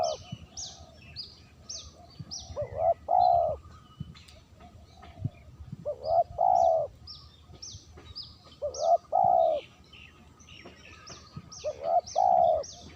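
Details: Spotted dove call used for luring birds. The same two-part phrase repeats four times, roughly every three seconds: a short coo, then a longer, rich, hollow coo. High downslurred chirps from another bird keep sounding through the gaps.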